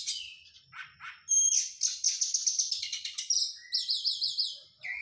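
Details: White-rumped shama, a caged bird in training after moulting, singing a rapid varied song: thin whistles, then fast repeated rolling trills and chattering notes, loud and high-pitched, with a soft low note near the end.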